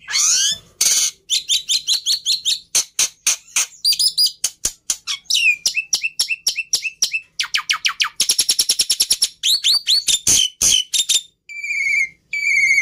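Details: Black-winged myna pouring out a long, varied song: fast repeated chips, descending whistled phrases, a buzzy rattling trill and clear repeated whistles near the end, all packed densely together.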